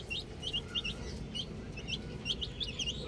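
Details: Young chicks around a ball give a handful of clear, high, downslurred peeps in small pairs and triplets against a noisy low rumble.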